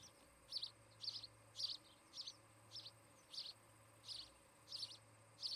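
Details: Osprey pair at a newly built nest in Charlo, Montana, filmed by nest camera on the afternoon of 17 August 2018; high, sharp whistled chirps in short bursts, about two per second, over a low steady hum.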